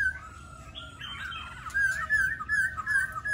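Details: Laughingthrush song: a soft start, then a fast, rolling warble of whistled notes that wavers steadily and grows louder toward the end.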